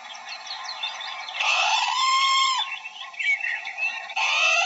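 Harsh, nasal parrot squawks with a long drawn-out screech in the middle and busy chattering notes around it, ending in another loud rasping call.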